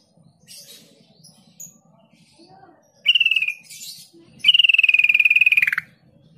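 A yellow-vented bulbul gives two fast, rattling chatters, the second longer and dropping at the end, over a low background hum with faint chirps.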